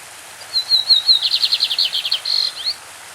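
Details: Champion lined seedeater singing its classic-style song with a stream in the background: a few thin whistled notes, then a rapid buzzy series of about a dozen even notes, ending in a short upslurred whistle.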